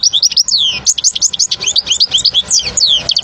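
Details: European goldfinch song, played for young birds to learn: unbroken stream of quick looping whistled notes and tinkling chirps, lively and evenly loud.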